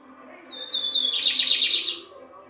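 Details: Caged lined seedeater on 18 December 2022, about 15 days into a moult, still weak and singing only occasionally: a thin, high, slightly falling whistle, then a quick burst of buzzy, rattling notes lasting about a second. A faint hum runs underneath.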